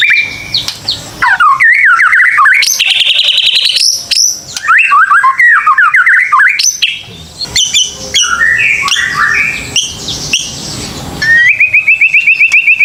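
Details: Lure song of a white-rumped shama, used to coax young birds into singing: a dense, fast flow of varied whistles, slurred upsweeps and trills, ending in a rapid, even series of high buzzy notes.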